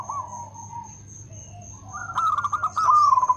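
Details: Local zebra dove, an active singer with a loud voice and good rhythm: faint rolling coos at first, then from halfway on a loud, fast, pulsed cooing phrase. A thin high whine and low hum continue underneath.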